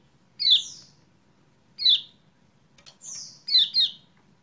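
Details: Lure sound of kecial kuning to coax a caged bird into singing again: falling chirps, a longer high slurred note, then a quick double chirp, with faint clicks.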